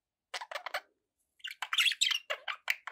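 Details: Kept budgies give a few short, buzzy chirps, then a lively run of warbled, raspy chatter notes.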